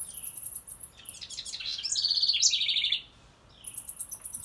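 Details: A wren, called she, sings near a birdhouse. Fast, very high chip notes lead into a bright, bubbling song with two quick mechanical trills, the second slightly lower. Then the high chip series resumes.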